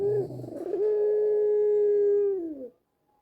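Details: Coo of a white black-collared dove, valued for its sweet voice and used to lure doves at home into calling: a brief rough opening, then one long steady low note held nearly two seconds, dipping at its end.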